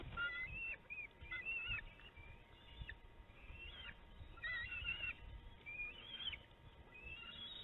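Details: Bald eagle fledglings at an Illinois nest, late afternoon in June 2019, contesting food dropped off by an adult; a series of high, chittering whistles that rise and fall, in clusters about a second apart, over soft background hiss.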